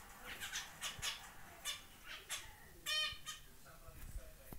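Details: Zebra finch chick out of the nest for the first day, with soft nasal calls at first, then one louder harmonic beep near the middle, plus faint clicks and knocks.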